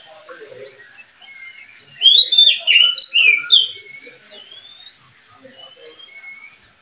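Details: Murai and kacer (murka) breeding pair in a cage: soft scattered whistles, then a loud burst of sharp rapid notes for about two seconds, followed by quiet rising slurred whistles.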